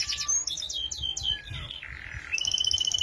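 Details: Canary in full song, kept as tutor material for young canaries: quick downslurred whistled notes, then a steady held tone, ending in a rapid high pulsing roll.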